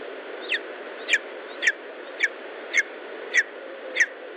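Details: Lesser spotted eagle at an Estonian nest, 19 July 2012, late morning; seven strong, sharp yelping notes, each dropping in pitch, repeated about every 0.6 seconds over a constant hissing background.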